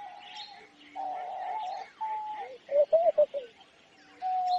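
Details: A homing pigeon gives a rapid run of pulsed, warbling coos after sustained steady notes, with assorted small birds tweeting faintly overhead.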